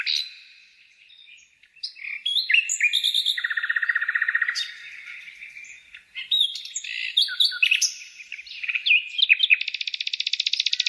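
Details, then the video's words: Bird song of varied, rapid phrases: buzzy trills, sharp chirps and fast rattling notes shifting in pitch, with a brief quiet start and a long pulsed trill toward the end. "kicau burung"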